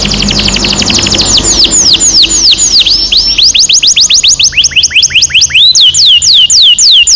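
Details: Canary long-roll song used as a lure to train young canaries to sing: rapid whistled notes sweep downward about four times a second, then shift to higher, quicker falling notes, with a faint low hum early on.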